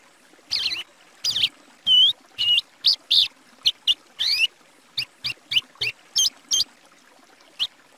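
A Plumbeous Seedeater sings a lively run of clear, high whistled notes, some slurred and looping, delivered in quick phrases with brief pauses.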